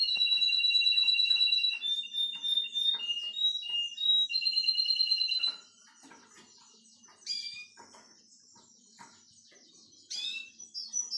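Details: Male Russian canary, nine years old, singing to teach his grandchildren: five seconds of loud, rapidly pulsed high trills shifting pitch in steps, followed by quieter pauses and two brief sharp chirp bursts.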